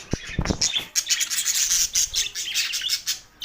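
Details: Budgerigars, said to be lonely, on June 7, 2024: a few sharp taps and a flutter open into dense, high, scratchy twittering chatter that continues with small dips to the end.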